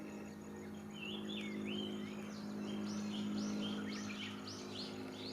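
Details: Wild small birds singing at a pond near a sports park, captured with an FZ1000 camera: a run of clear, arching high chirps repeated about four times a second, over a steady low hum.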